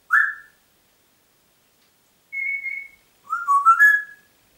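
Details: Congo grey parrot at home in Diebach near Hammelburg, Germany, 4 April 2012, whistling a varied phrase: a short rising note, a steady high tone, then a wavering run of stepped notes.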